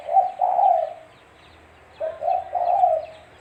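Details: Spotted dove calling, used as a lure for trapping: two low, mellow cooing phrases, each of about three soft notes with the last drawn out, about two seconds apart, with faint chirps in the background.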